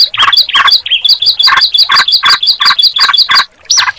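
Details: Sunda pied chat and yellow-vented bulbul singing at once: crisp high chirps repeated almost three a second with rich, lower warbled notes between them, ending in a short rising whistle.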